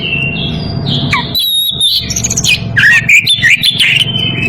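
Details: Oriental magpie-robin in breeding condition calling a rival, mixing sustained whistles, a dipping slur and a choppy series of scratchy, rising chirps.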